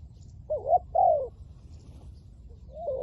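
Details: Decoy spotted dove luring wild doves, in the 'lio tan' calling style: a hoarse, wavering double coo followed by a longer falling coo, then quiet before another coo begins at the end, with faint low rumble beneath.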